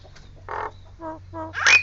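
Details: Nias Hill Myna giving harsh, nasal croaks and short throaty notes, ending in a sharp rising squeal, with a steady low hum underneath.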